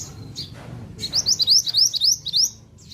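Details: Pied bushchat in lively song: a fast run of eight or nine sharp, high, slurred notes, each sweeping slightly downward, delivered at a brisk steady pace, then a short pause and one faint closing chirp.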